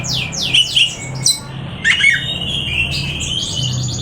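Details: Oriental magpie-robin singing loudly indoors: sharp, falling whistled slurs, then a long sustained whistle that bends and holds near one pitch, over a low hum.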